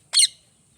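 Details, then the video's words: Single short, harsh, grating squawk from a parrot, loud and broad, ending abruptly into silence. "Parrot Chirping Sounds | Natural Parrot Sounds | Parrot Calling Sounds"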